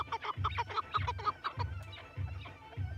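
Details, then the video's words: Chukar partridge gives a quick run of hoarse, clucking chuk notes, about six in the first second and a half, then fading, over a deep, regular thumping beat. "صوت الحجل الشنار Perdiz Keklik Куропатка Perdrix تیتر 鹧鸪 Chukar sound"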